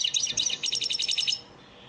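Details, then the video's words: Caged European goldfinch singing a training song: a rapid, continuous run of high, liquid twittering notes for about one and a half seconds, then fading to quiet. "elmacık saka ders ötüm dersi"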